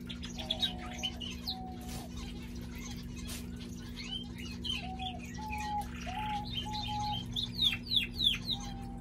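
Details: Male pet canary in song. Low, level whistled notes recur every second or so amid scattered chirps, then a burst of sharp high descending notes near the end, over constant low humming noise.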